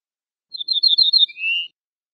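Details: Song phrase of an ortolan bunting (Moroccan name el bouh el fassi): a rapid string of about seven bright, high notes, then a lower, rising, sustained note to close. No other sounds.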